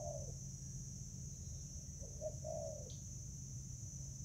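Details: Spotted dove recorded in Vietnam, 24 July 2019, while fighting over food: a short low coo at the start, then a rising-falling two-part coo phrase, set against a constant low hum and a faint high whine.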